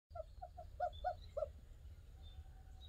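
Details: Barred owl giving an unusual vocalization, recorded 13 January 2021: a series of six short hooting notes, slightly uneven, the middle ones louder, with faint distant background noise.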